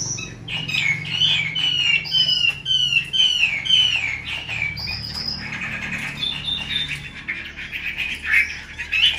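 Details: Caged female Chinese hwamei giving its 'te dụ' calls, kept to fire up male birds; rapid, varied whistled and chattering notes in a dense, uneven stream, some sliding downward, with a low hum beneath.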